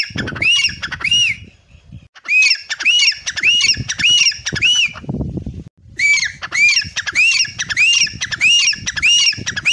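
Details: Grey francolin sitting by a tube well in a garden, calling loud, harsh, arched notes repeated rapidly in two long series with a brief pause; low thumping underneath.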